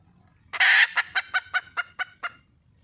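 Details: Red junglefowl hen in the wild calling to find a mate gives one loud, grating squawk followed by seven evenly spaced, clipped clucks.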